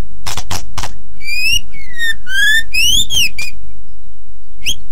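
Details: Song of a white-rumped shama for other birds to learn. Three dry clicks, then a series of clear sustained whistles, some rising, some falling, followed by a final short upward whistle.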